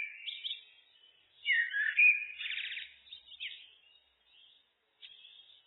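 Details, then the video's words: Looped recording of a common blackbird (Turdus merula) singing: a faint opening twitter, then a loud varied phrase of fluty notes and a rapid rattling trill, trailing off into quieter chirps and a brief final note. "Blackbird, Turdus merula, birds (looped)"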